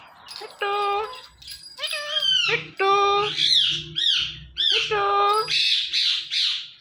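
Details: Indian ringneck parrot calling "Mithu Mithu": loud speech-like harmonic phrases repeated about every second, mixed with sharp rising-falling screechy notes, in a quiet room.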